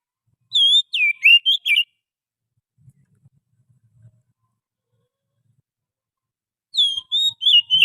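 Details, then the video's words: Wild Oriental magpie-robin song used for luring: a burst of quick varied whistles, a quiet gap with faint low knocks, then a second run of looping whistled notes. "suara pikat burung Kacer asli hutan,suara pancingan kacer"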